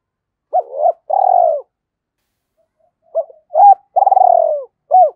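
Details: Spotted dove cooing, used as a lure so wild doves call back. A wavering coo and a long purring note, a pause of about a second and a half, then a fresh phrase of clipped note, hooked coo, long trembling coo and short final note.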